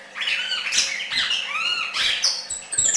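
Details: Red-crested cardinal singing loudly: a dense series of rich whistled and slurred notes, including a smooth rising-falling slur and very high thin notes near the end.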